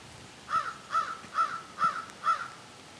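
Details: Gathered crows calling: five short, hoarse caws come evenly at roughly half-second intervals over a quiet background hiss.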